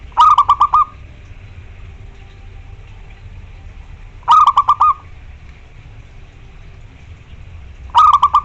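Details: A local zebra dove (perkutut), a loud-voiced bird calling to rivals, gives bursts of rapid, stuttering coos ending in a rolling trill, repeated every three to four seconds over a low background hum.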